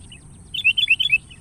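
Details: Sooty-headed bulbul lure call aimed at a rival: a lively burst of clear, slurred whistles, swinging between higher and lower pitches for under a second, with a soft note before and after.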